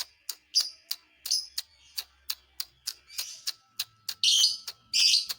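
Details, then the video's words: Lovebird song meant to provoke other lovebirds: steady sharp clicking chirps with scratchy chatter, ending in two loud harsh screeches. "dijamin burung Lovebird lain emosi"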